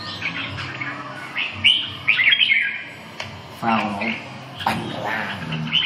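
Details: Red-whiskered bulbul kept in a cage at a bird-song gathering. Short whistled notes and quick chirpy bursts are spaced a second or so apart. Men's voices run underneath.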